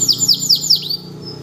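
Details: Caged canary kept as a master tutor bird, singing strongly right after moulting without extra conditioning; four loud, high whistled notes each sweeping downward, repeated about every fifth of a second, then a fading thin note over a low steady hum.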